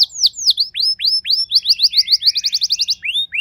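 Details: Canary kept at home, normally a reluctant singer, replying to another singer: varied downward and upward slurred whistles that quicken into a lively chattering run, then slow again at the end.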